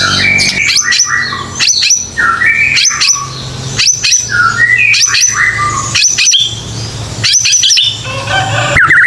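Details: White-rumped shama singing as a lure for young birds, with natural gaps for replies: varied loud phrases mixing slurred mid-pitched whistles with high sharp chips, in bursts roughly every second or two.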